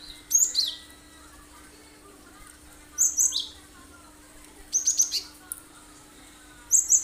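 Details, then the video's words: Cinereous tit singing energetic 'tembakan' song for luring other birds: four short bursts of high, sharp, clipped notes spaced about one and a half to two seconds apart, over quiet background and a steady low hum. "Full tembakan tajam bagus buat pancingan burung lain"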